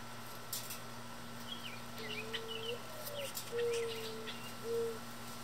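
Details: Several mourning doves in a backyard, feeding on spilled seed beneath feeders and some chasing each other, give low, soft, mellow coos with a slight rise; faint high chirps from small birds and a steady hum.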